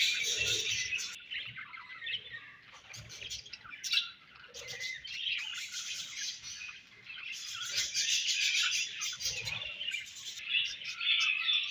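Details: Several budgerigars chirping during feeding and food exchange; steady high twittering chatter with rapid irregular clicks and warbles, swelling in louder bursts toward the end.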